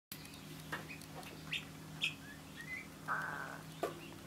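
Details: Two pet guineafowl perched on the back of a chair indoors give scattered short chirps and one harsh, grating rasp over a steady household hum.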